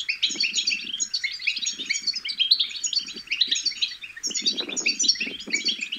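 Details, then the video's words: Young European goldfinches babble a busy, high-pitched twittering song, played to stimulate goldfinches to sing; rippling chirps and buzzy trills run on steadily while low soft rumbles come and go beneath. "بتبتة الحسون الأكثر تحفيزا أن لم يغرد الحسون فعلم حسونك انثى او ابكم بتبتات فراخ الحسون الفتاكة"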